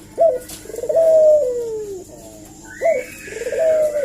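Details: Eurasian collared dove giving a lure call meant to provoke a reply: a short sharp upward note followed by a long, drawn-out, falling coo, repeated twice, with a faint higher squeak partway through.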